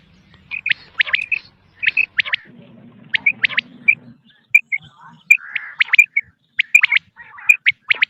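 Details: Quail on a recording used for hunting, giving quick sharp chirps and double notes in small groups separated by brief gaps, plus a soft buzzy patch midway and faint high ticks.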